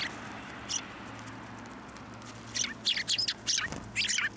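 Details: Sparrows coming to a sidewalk curb to be fed at a shrine on 11 January 2024; sharp high chirps in a quick burst of several notes near the end, one earlier chirp, over steady low traffic hum.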